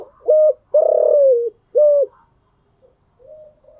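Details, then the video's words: Morning coo of a spotted dove: two short hollow notes framing a long, throbbing note that falls at its end, followed by faint, soft murmured coos. "Tiếng chim gáy buổi sáng"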